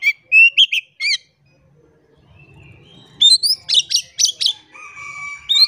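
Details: Oriental magpie-robin song serving as a lure for birds that will not sing: short whistled phrases, a quiet gap with low rumble, then a dense burst of sharp rising whistles and a sustained thin tone.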